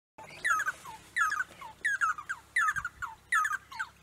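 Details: Red-and-yellow barbet singing: loud chattering phrases of rapid, slurred notes, each with a lower falling note after it, repeated about every three-quarters of a second.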